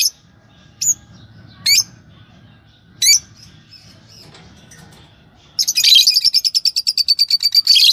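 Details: Yellow pair of Fischer's lovebirds: a few isolated sharp rising squeaks spaced about a second apart, then a rapid pulsing chatter of high notes over the last two seconds.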